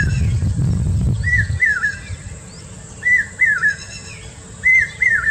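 A common hawk-cuckoo gives loud, shrill whistled phrases of two or three notes, each rising then dropping, repeated about every one and a half seconds after a brief low rumble.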